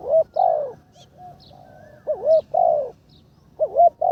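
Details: Spotted dove being trained as a ground decoy, third session. Repeated deep cooing phrases about every 1.5 seconds, each a quick wavering double note followed by a fuller, longer coo.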